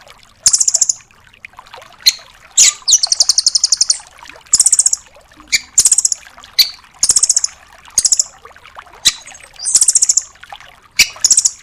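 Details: Rambatan doraemon nuthatch giving a full 'tembakan' master song for cage songbirds: bright high bursts roughly every second, several stretched into buzzy rattling trills of evenly spaced notes, faint ticks between.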